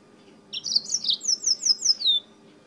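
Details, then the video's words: Yellow-fronted canary from Spain singing a lot: a quick high phrase of sweet, slurred whistled notes, repeated rapidly about eight times in under two seconds, descending slightly at the end, over faint background hum. "CANÁRIO-DE-MOÇAMBIQUE DIRETO DA ESPANHA CANTANDO MUITO"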